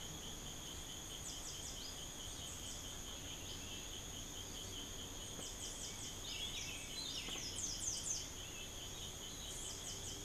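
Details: Swallow tanager in Barinas, Venezuela, giving short clusters of thin, very high chips every few seconds over a steady, shrill insect drone.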